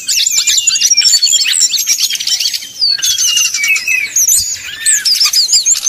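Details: Srdc bird song used as a provoking lure for rival birds. Thin high whistles and chirps over a buzzy wash of sound, with short upward slurs and a low dip near the end.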